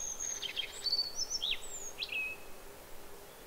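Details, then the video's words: Japanese Yellow Bunting in song, a Black-faced Bunting also singing over it: high thin whistles and trilled chip clusters in the first two seconds, ending with a falling slurred note, then quiet background. "ノジコがさえずる Japanese Yellow Bunting"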